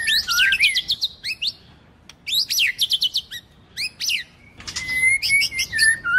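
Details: White-rumped shama training song featuring many voices and a female singing to stimulate males. Bursts of sharp rising chirps and quick notes alternate with brief pauses, closing on a sustained, slightly wavering whistle.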